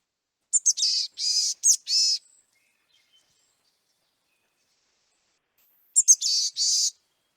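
Boreal Chickadee giving two raspy, nasal calls, each a couple of high thin introductory notes followed by buzzy drawn-out notes, about five seconds apart.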